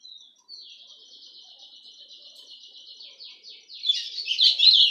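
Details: White-throated Seedeater, a pet golado, sings a long, even, buzzy high trill that gradually becomes choppier. It ends in a louder burst of rapid, scratchy, tumbling notes.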